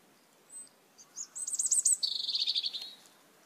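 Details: Flock of red-eyed Asian glossy starlings at backyard papaya plants: scattered faint high pips lead into a rapid run of buzzy, squeaky chirps, about four each second, trailing off after a second and a half.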